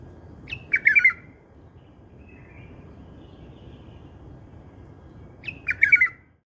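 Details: A bulbul's song in a style treasured by keepers. Two matching warbling phrases, each starting with a crisp note, come about five seconds apart in otherwise quiet surroundings.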